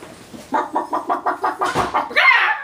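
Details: Pet Moluccan cockatoo indoors, playing peekaboo with its owners, gives a run of about nine evenly spaced, hoarse clucking notes, chicken-like and rising slightly in intensity, ending in a louder harsh squawk.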